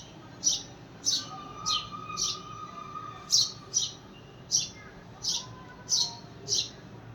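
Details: House sparrow calling out for a companion: a steady run of eleven bright, high chirps, roughly two per second, with a faint hum in the background.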